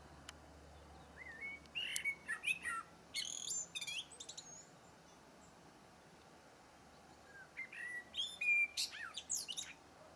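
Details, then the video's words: Blackbird song: two phrases, each opening with low fluted whistles and ending in high, squeaky twittering flourishes, with a quiet pause between them. "chant du merle"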